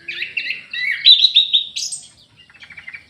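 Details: Orange-headed thrush in an aviary singing energetically: a quick run of warbled, slurred whistles climbing in pitch, then a softer, rapid chattering tail.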